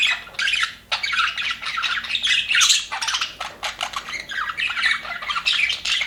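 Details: Aviary budgerigars, said to be happy, produce lively chatter: rapid squeaky chirps, buzzy warbles and clicking notes in overlapping bursts.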